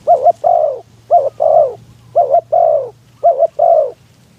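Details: Spotted dove calling as a decoy for wild doves, strong wind: close, rapid series of four coo phrases, each a double short note and a longer dropping croo, over a steady low hum.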